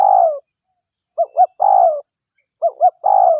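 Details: Spotted dove cooing, used as a lure to draw other spotted doves in. Pairs of short rounded coos each lead into a drawn-out falling coo, in phrases repeated steadily against a silent background.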